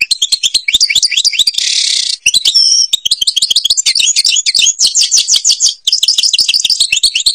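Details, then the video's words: Goldfinch from Algeria singing in the Babas forest Tibrli style: long, lively, high-pitched twittering with a rasping buzzy note, pure whistles, and fast repeated trilled phrases that continue almost without pause. "(canto jilguero argelia) تغريد غابة الباباس تيبرلي"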